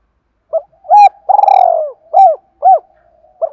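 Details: Spotted dove kept as a lure, singing to make rivals coo in the thổ style: short hoot, rising coo, trembling drawn-out purr, then two firm coos and a fresh start.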